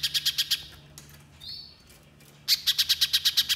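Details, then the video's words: Little spiderhunter singing in the rapid 'nembak' style: two bursts of about six sharp, high chipping notes, fast and evenly spaced, separated by a quiet gap holding a brief thin whistle. "Pancingan Pijantung Pisang Gacor Agar Pijantung Bahan Cepat Bunyi Nembak Mbeset Rapat"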